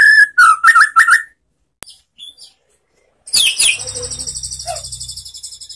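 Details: White-rumped shama (murai batu) relaxed lure song used to spark singing in quiet shamas: a few twisting whistles, a pause with soft chips, then a dense buzzy high trill fading out.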